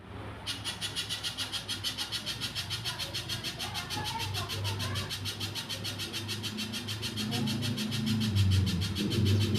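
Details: Little spiderhunter singing vigorously: a fast, steady run of sharp high notes, about three and a half a second, over a strong low rumble like passing traffic and faint voices.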